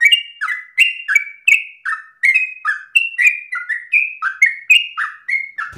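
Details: Tireless, long-breathed yellow-vented bulbul song offered as a model for learning birds, with continuous bubbling whistles, each note dropping in pitch, repeated quickly in varied high and low steps across the whole passage.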